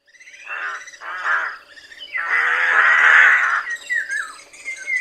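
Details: Rook giving loud, hoarse calls: two short harsh bursts, then a long rasping caw of about a second and a half, followed by a few fainter broken notes.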